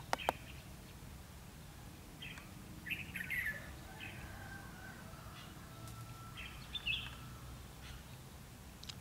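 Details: Red-whiskered bulbul used as a decoy at a trapping site on 22 February 2016, singing in a fight to lure wild bulbuls into a trap: several short, bright warbled phrases spaced across the recording, over a low background rumble.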